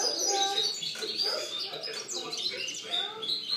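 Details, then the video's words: European goldfinch song recorded in 2013: fast, dense twittering and tinkling notes high in pitch, delivered in a continuous jumble, with lower harmonic voice-like sounds underneath. "Chant chardonneret 2013"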